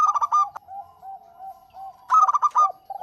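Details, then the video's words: Local zebra dove song in two short bursts of fast, bright cooing notes about two seconds apart, a soft low purring coo continuing underneath. "Suara Burung PERKUTUT LOKAL GACOR Untuk Pancingan"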